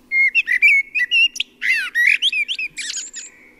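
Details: Common Blackbird song, typical around late March to early April at dawn and dusk and often heard among buildings: a run of clear, confident, fluty whistled phrases around mid-high pitch, ending in squeakier twittering notes, with a faint low hum beneath.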